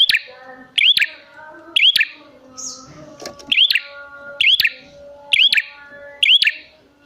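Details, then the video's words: Bar-winged prinia calls used to lure prinias: repeated hooked chirps, bright and high, each led by a click, about once a second, with a brief softer sound midway and faint background tones. "Pancingan Prenjak Gacor Jamin Prenjak Malas Bunyi Langsung Nyahut"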